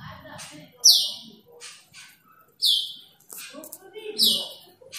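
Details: Asian glossy starling calling out to a rival, giving piercing downward-slurred high notes at irregular intervals of about one and a half seconds, softer chatter and faint voices between them.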